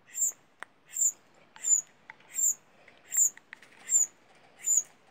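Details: Young tuis at a bird rescue during feeding, calling with short, thin, very high squeaks repeated at a steady pace of roughly one every three-quarters of a second, with faint clicks in between.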